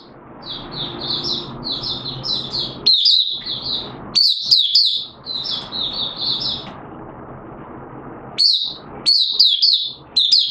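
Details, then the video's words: Oriental white-eye from Malaysia in open 'buka' singing, Singapore, 29 March 2023, warm and humid with sudden showers; a quick run of high, chirpy notes, then louder, scattered twittered bursts over faint background noise. "Malaysian Mata Puteh Buka Sing"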